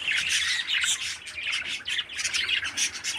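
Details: A dense, noisy stream of harsh squawks from a 13-day-old pet parakeet chick, described as healthy and strong. Loud scratchy pulses follow each other almost without a break.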